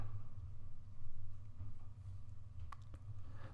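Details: Low steady hum with soft thumps and a few sharp clicks near the end, no animal voice.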